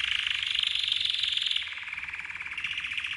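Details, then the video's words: Continuous rapid rattling trill from a red canary's training song, dense and buzzy, easing slightly lower midway. "The Best Red CANARY Training Song"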